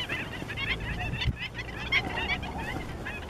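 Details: Several slender-billed gulls in Cyprus give rapid, overlapping harsh calls, dense and continuous for a few seconds over low background rumble.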